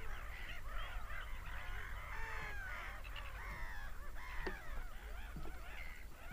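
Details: Screaming seagulls in a crowded colony-like chorus, arched and falling cries overlapping constantly, a few sharp clicks, and a low background rumble.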